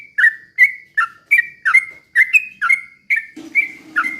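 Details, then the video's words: Sooty-headed bulbul slow rapid-fire song played to stir other bulbuls into singing. Loud bubbly whistles, each falling in pitch, repeat roughly every half second, and a low buzzing hum joins near the end. "trucukan gacor ROPEL PELAN BUAT pancingan trucukan agar bunyi jadikan burung trucuk gacor EMOSI"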